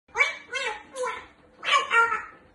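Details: A grey parrot that likes to chat perched up high talks in a nasal, human-like voice: three quick syllables, a short pause, then two longer, rising words in a quiet room.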